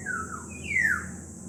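Black-naped oriole giving two fluty, slurred whistles, the first sliding down and the second swelling then dropping, over a steady high hiss.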